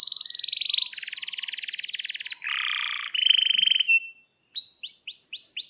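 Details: Strongly singing canary offered as a teaching song for juvenile canaries: dense rapid trills at high pitch, a harsher lower buzzy section, another fast roll, a brief pause, then repeated downslurred whistles.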